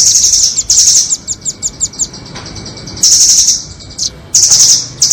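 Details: Trapping-lure recording of nuthatches, doraemon and red-billed types, used to attract birds: high, thin trills alternate with runs of sharp, evenly spaced chips and short bright squeaks, with a faint steady tone beneath.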